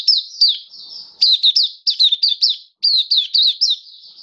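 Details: High-pitched song of a caged Oriental white-eye, recorded 27 October 2022. Clusters of fast, bright, slurred chips in three runs with short gaps, plus thin sustained twitter between them. No other sounds.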